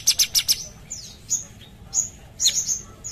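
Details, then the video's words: Sumatran bulbul singing prolifically: four sharp, high, ringing notes in quick succession, then a pause and scattered thin whistled notes and short descending slurs at a similar high pitch. "Cucak cungkok gacor"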